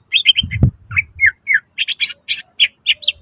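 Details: Greater green leafbird in full, energetic song with mimicked insertions, used as a lure and tutor for birds reluctant to sing: rapid run of short slurred whistled notes, several per second, with a dull low thump early on.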